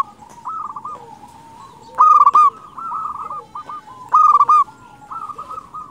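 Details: Zebra dove of local stock singing to lure wild doves: two loud pulsing coo phrases about two seconds apart, surrounded by busy softer cooing and trills from neighbouring doves.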